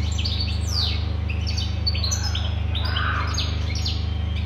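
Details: European goldfinch singing: rapid twittering high notes, short trills and quick descending slurs, fairly continuous, over a steady loud low mechanical hum.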